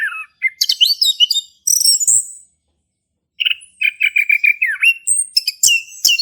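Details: Ngeplong-style song of a male orange-headed thrush, played to encourage a quiet thrush to sing: varied high whistles and sweeping notes, a pause, then a run of repeated short chirps and sharp rising whistles.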